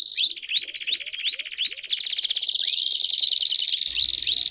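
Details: A canary group chorus known as baderna, played to warm up caged canaries: a row of clear rising upslurred whistles repeats about three times a second over a dense high trilling background.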